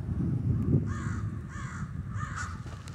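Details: Crows of a roosting flock in the snow in Denver give three harsh, hoarse caws in the second half, spaced about half a second apart, over a steady low rumble.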